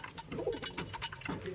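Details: Domestic pigeons of many kinds, flying back into their loft one by one to feed on wheat, give low, soft rolling coos among brief fluttering bursts.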